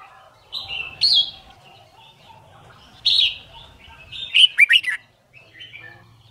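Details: Red-whiskered bulbul competition-style song used to train birds to learn song quickly: three short bursts of bright, warbled, slurred whistles, each under a second, separated by quiet gaps, with faint low rumble beneath.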